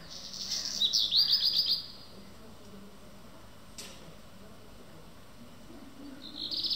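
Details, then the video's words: A black redstart sings early in the morning at Schwerin railway station, giving a short, high, jingling phrase of hurried notes about a second and a half long, then starting again, over a low hum and a single click. "hausrotschwanz früh morgens"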